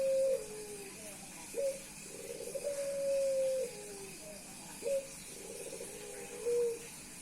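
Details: A male Puter Pelung dove courts a hen with continuous cooing. A bubbling rapid roll swells into a long sustained tone, with brief sharp coos marking each new phrase. Two full phrases play over a quiet steady hum.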